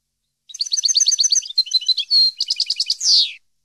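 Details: European goldfinch singing on a recording made to teach captive goldfinches; a fast run of tinkling high notes, a drawn-out clear whistle, more rapid twitters, then a buzzy descending slur to close the phrase.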